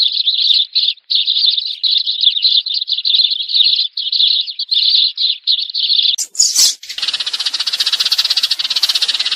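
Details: Sparrow chatter used as a 2019 lure for trapping birds: a long, continuous run of twittering chirps, then a loud rasping burst followed by a steady buzzing rattle.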